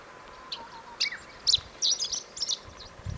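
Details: Chestnut-eared bunting singing on the Kirigamine highland: a quick, irregular run of short, high, dry chips and sharp notes over about two and a half seconds, with one lower slurred note near the start, against soft background hiss.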